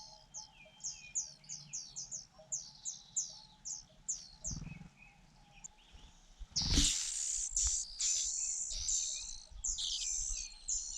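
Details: Fujian niltava nestlings being fed by their mother: a steady run of quick high chirps, a pause, then a loud, buzzy, continuous begging chorus with short breaks.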